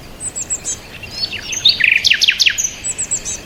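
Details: Birdsong with scattered soft high notes, then a bright burst of rapid, sharp downslurred chirps and trills mid-clip, fading back into quieter distant twittering.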